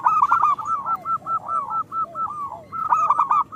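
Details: Zebra dove, a local bird in full song, offered as bait for lazy singers: a quick string of about ten rolling coo notes at an even pace, ending in a louder trilled phrase.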